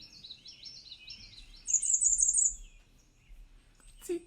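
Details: Bay-breasted Warbler song: a very high, thin single note repeated rapidly at one pitch about five or six times, after softer twittering from other birds.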